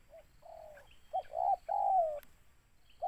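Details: Spotted dove sought for luring, with a softer distant coo at first then a louder phrase of short hoarse notes ending in a long descending coo, plus a sharp click and faint high whistles.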